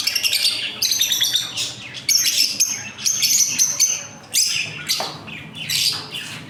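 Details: Many caged lovebirds calling together in a breeding colony: loud rapid high-pitched chattering and squawks, coming in dense bursts separated by brief lulls.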